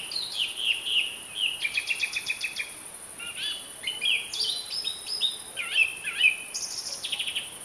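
A song thrush sings a varied run of clear, whistled and chattering phrases, some repeated in quick bursts, over a faint steady background hiss.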